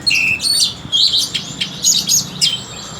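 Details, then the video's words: Continuous, busy warbling from an orange-headed thrush, described as having a very sweet voice: a steady opening whistle, then tumbling high twittered and mimicking notes repeated in quick bursts. "Kicauan anis kembang"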